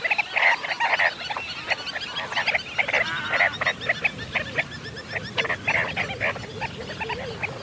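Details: Sandgrouse, a dense chorus of many birds giving short gurgling, bubbling calls in quick overlapping bursts, loud and continuous throughout.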